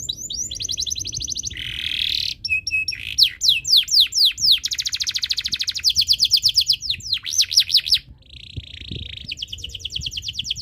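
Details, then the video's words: Canary in breeding condition singing to spur other birds to sing: a long, loud, varied song of rapid trills, buzzy rolls and fast repeated sweeping notes, briefly pausing near the end. "Suara Burung Kenari ini Bikin Burung Lain Ikut Bunyi"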